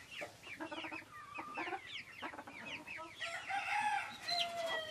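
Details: A flock of Silkie chickens on a farm cluck and chirp over one another, short rising and falling notes several times a second, with higher squeals building toward the end.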